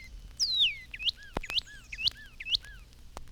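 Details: In spring, a male Northern Cardinal sings a long, clear downslurred whistle like someone whistling for a dog, then quick paired rising-then-lower whistled phrases, about twice a second, like "hurry home"; faint clicks; 1954 recording.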